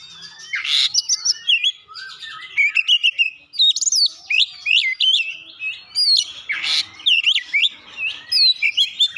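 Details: Oriental magpie-robin (kacer) performing Java sparrow (gelatik batu) mimicry: dense, varied whistled and twittering notes, interrupted twice by loud harsh rasping bursts.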